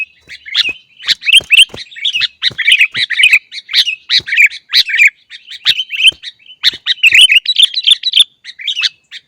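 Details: Sooty-headed bulbul song of the lively, chattering kind used to train caged birds to sing: dense bursts of bubbling, chirpy notes with sharp clicks, phrases tumbling over each other almost without pause.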